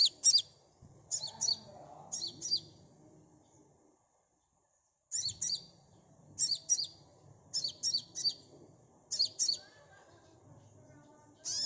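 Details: Sunbird song for luring a fast response: clusters of two or three very high chirping notes, a silent stretch of about a second, then more paired chirps repeating steadily.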